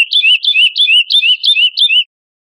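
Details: A captive chestnut-bellied seed finch (curió) sings a clear, high whistled "praia clássico" phrase of about seven looping notes, three or four per second, used to teach young birds the song. No other sounds are heard.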